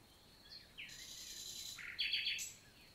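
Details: Common nightingale singing in summer daytime, Célé valley, Lot, France, June 2023: a soft whistle leads into a long, buzzy rattling stretch, ending in a sharp, loud cluster of clipped notes.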